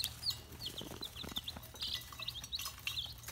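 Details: Red junglefowl chicks giving rapid, thin, high-pitched peeps, several short notes overlapping in quick succession over a low steady hum.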